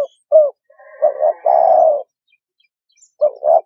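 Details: Spotted dove cooing low and soft, a recording used to rouse decoy doves: a short coo, a doubled note, then a long drawn-out croo, and two quick coos after a pause.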